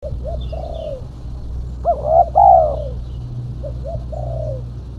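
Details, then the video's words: Female spotted dove calling as a lure: soft low coos, then a louder, two-part rolling coo around two seconds in, followed by more quiet short coos. Steady low hum underneath. "Suara burung tekukur betina /pikat tekukur betina"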